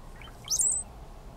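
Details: Male brown-headed cowbird, one of three displaying in spring at Condie Nature Refuge, south central Saskatchewan, Canada, on May 8, 2013. A few soft low gurgling notes lead into a sudden very high, thin squealing whistle that slides upward, all in under a second.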